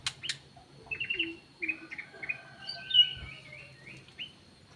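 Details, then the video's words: Ruby-throated bulbul lure call: sharp chips, then a run of varied short whistled notes and slurs, each sitting at a different pitch. A faint hum and a soft thump can be heard underneath. "KUTILANG EMAS \ CUCAK EMAS SUARA PIKAT GACOR"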